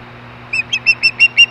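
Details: Osprey at Hellgate in 2014, back on its nest again and calling at 5:24 PM MDT: six short, clear whistled chirps in quick succession, each louder than the last, over a steady low electrical hum.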